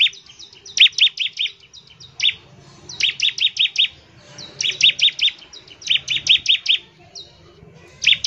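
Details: Bar-winged prinia in lively rapid-fire song, used to prompt other prinias to sing: bursts of four to six sharp, high, doubled chirps, separated by short pauses, over faint low background rumble.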